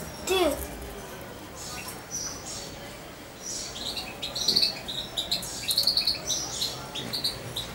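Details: Hand-reared European goldfinch about two months old, near its owner; after a quiet start, bright high chirps cluster in quick runs of three or four notes, with a low thump near the beginning.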